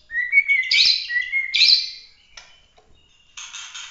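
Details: Bahorok white-rumped shama in competition song: rising whistles leading into two loud bursts of rich warbling, a pause, then a short harsh buzzy note.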